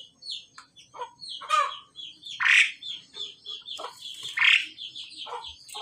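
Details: Pied myna male and female during pairing: a steady patter of short chattering notes broken by two loud, raspy squawks.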